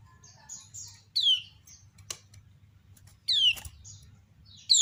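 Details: Kept female kecial kuning (Lombok white-eye) calling, other birds answering: soft high twitters, then loud slurred falling whistles, with sharp clicks and a low steady hum in the background.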